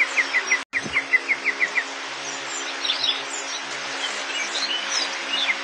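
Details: Crested bunting: a quick run of about nine short, bright chirps on one pitch in the opening two seconds. Then a busy chorus of other birds' twittering and whistles follows over a steady background hiss.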